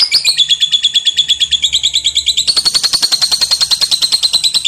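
A lovebird gives a long, unbroken chatter of rapid, shrill ticking notes, about nine a second, rising in pitch halfway through.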